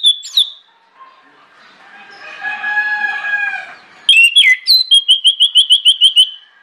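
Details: Orange-headed thrush pouring out a loud lure song: a short whistled note, a softer buzzy warbled passage, then sharp sliding whistles leading into a quick series of around ten repeated high notes.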